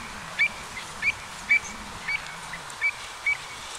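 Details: Pied avocets calling in flight in autumn over the Gulf of Morbihan, Brittany, France, on 7 November 2021: short, clear, fluty notes repeated irregularly, about every half second, over a quiet background with faint low murmur.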